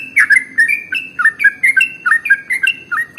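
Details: Sooty-headed bulbul (trucukan) delivering fast 'ropel' song as a lure for other cage birds: clear whistled notes flicking up and down in quick succession, roughly several per second, over faint low background hum.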